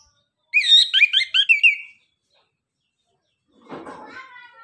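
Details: Anis kembang, the orange-headed thrush, in 'nembak, ngeriwik' style, meant to lure quiet birds into answering: a quick burst of bouncing, looping whistles lasting over a second, then silence and a softer rough, noisy sound.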